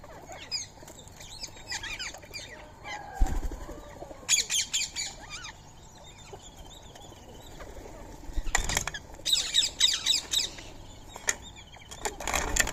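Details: Free-living Indian ringneck parakeets (rose-ringed parakeets) feeding on soaked rice and corn at 6:30 in the morning on 20 March 2025. Harsh, scratchy squawks come in loud clustered bursts with brief quieter gaps, over a busy outdoor background.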